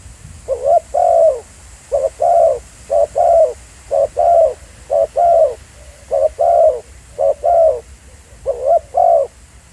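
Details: Spotted dove recorded live at a field site at Pha Sing, Thailand, giving a long series of rhythmic paired coos, short then longer, repeated about every second with a faint high steady hiss in the background.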